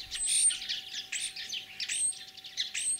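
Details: Common starling in spring song in Kalyazin district, Tver region, Russia, 9 April 2023, mimicking other birds; dense chattering warble with thin high whistles recurring about every second amid scratchy shrill notes.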